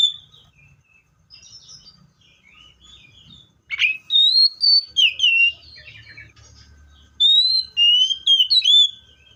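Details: Varied singing by a Seychelles magpie-robin, with quiet twittering, one sharp emphatic note, then two bouts of loud, clear slurred whistles, each made of several rising and falling notes and separated by a short pause.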